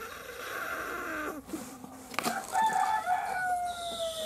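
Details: Hen calling during egg laying: sustained, nasal, harmonic cries that droop in pitch, broken by a sharp click, then a long, steady, slightly falling wail.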